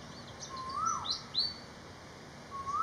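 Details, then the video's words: Malaysian pied fantail song of bright whistled notes: a low slurred note swinging up then down, quick high chirpy phrases, and another rising whistle at the end, all against a steady background hiss. "BEAUTIFUL BIRD SONG ❤️- Malaysian Pied Fantail"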